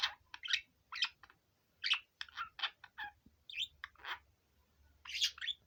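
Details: Male budgerigar, five years old, kept as a pet and out of its cage, warbling a rapid string of clipped chirps and raspy chatter notes with short gaps, the pitch jumping up and down, in a small room.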